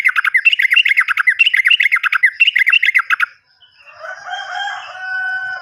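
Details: Sooty-headed bulbul lure recording meant to start silent or untrained captive birds singing: three seconds of rapid, chattering, rolling trill notes, then a softer, wavering, stacked tone from another sound.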